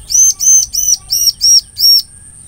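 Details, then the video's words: Bar-winged prinia singing, a recording used as bait to trap the same bird: six loud, high, slurred chirps repeated about three per second, evenly spaced, with a thin steady tone under the last notes. "SUARA CIBLEK PALING SERING DI GUNAKAN DAN JITU UNTUK PANCINGAN CIBLEK"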